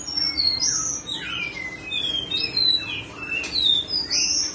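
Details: A captive whistling thrush (ciung batu), recorded in February 2022 as a training song for other songbirds, sings loud, fluid whistles that slide up and down, mixed with sharper high notes.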